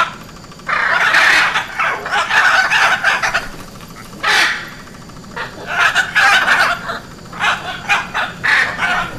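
Hyacinth macaw giving loud, harsh, grating squawks in bursts of about a second, with short pauses between, over a quiet background.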